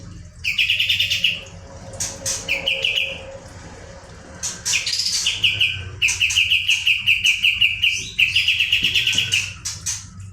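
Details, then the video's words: Kapas tembak songbird in full, lively song, used as a training model to stir other birds. Bright chattering trills repeat in bursts of about a second, mixed with sharp high chips and short pauses between phrases. A low steady hum runs underneath. "kapas tembak gacor roll ngebrn nembak.. masteran ampuh pendongkrak emosi burung lain"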